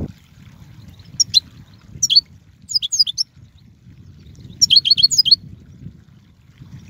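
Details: European goldfinch giving short bursts of bright, liquid twittering notes, several clusters spaced a second or so apart over a low steady background hum.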